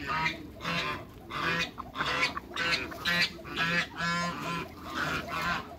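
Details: A group of hybrid Cayuga × mallard ducks keeps up rapid, rough, honking quacks, about two per second, with several birds overlapping.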